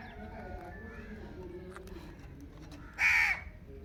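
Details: Indian ringneck parakeet giving a single loud, harsh screech over steady low background noise.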